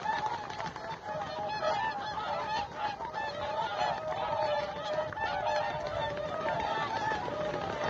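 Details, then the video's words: Large flock of whooper swans on a lake near Maardu, Estonia, on a cold November morning before ice and snow; continuous massed honking and bugling blend into a thick, unbroken chorus with no pauses. "Whooper Swans Singing in Estonia"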